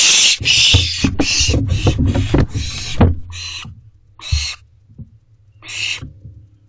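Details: Owlets at a nest box at night in late June, seen on a camera. A rapid run of harsh hissing screeches comes first, then shorter spaced rasps over a low steady hum.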